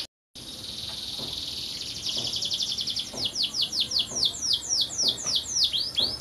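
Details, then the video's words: Canary singing: a rapid high buzzy trill near the start, then a run of repeated downward-sweeping whistled notes, about four per second, growing louder and clearer toward the end. "Canary Brids singing"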